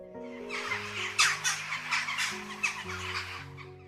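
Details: A jackdaw in the UK gives its most common call, a run of sharp, short 'tchak' notes, a few each second at an uneven pace, over steady background music.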